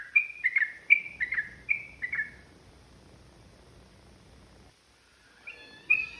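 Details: Yellow-vented bulbul in provoked ropel singing: a quick burst of six fluty, slurred notes, then a quiet gap with faint hiss, and a few notes returning at the end.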